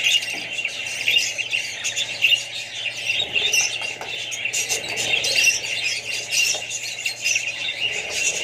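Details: Busy group of Australian budgies with young ones keeps up constant high chattering and warbling, dotted with short harsh calls, while a faint low hum runs throughout.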